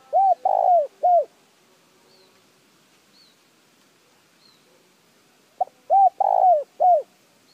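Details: Two repeated coo phrases from a spotted dove, used to stir a decoy bird into quick calling: low rounded notes with a long descending centre coo, separated by several quiet seconds with faint high chirps.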